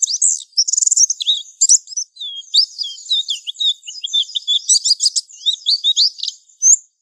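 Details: A mountain white-eye, used as a lure and training call for young wild-caught birds, gives a rapid, high, thin twittering song of sweet chirps and quick slurred notes, nearly unbroken for seven seconds, with no other sounds.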